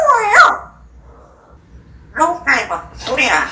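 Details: Talking pet parrot: a quick high, warbling speech-like syllable, a near-silent gap, then three rapid voice-like syllables with bending, bright harmonics.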